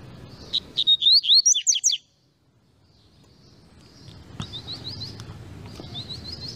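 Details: Double-collared seedeater singing a rapid burst of high, sharp whistled and swooping notes for about a second and a half, then a pause with background hiss and faint softer notes returning.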